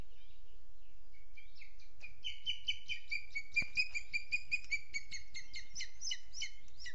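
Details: Booted eagle on a webcam in Sierra de Guadarrama National Park, morning of 12 June 2022, 07:20: a fast run of sharp, high, evenly pitched notes that starts hesitantly, then repeats rapidly for about five seconds in a quiet setting.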